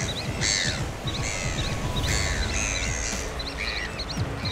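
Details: African black oystercatchers (Haematopus moquini) at Kruismansbaai, Danger Point, Gansbaai, South Africa, where they breed, give loud, shrill piping calls in quick bursts, about one every second, some overlapping, over a steady low rumble of wind or surf.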